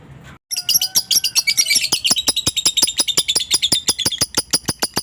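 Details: Lovebird launching into ngekek after a half-second hush, a chatter meant to goad a rival: high, scratchy pulses tumble out rapidly, several per second, continuing steadily to the end.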